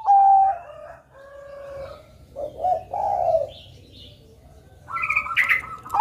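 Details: Zebra dove of the Bangkok kind singing to encourage young birds: overlapping drawn coos and a purring trill, with higher chirps and a brief clatter near the end.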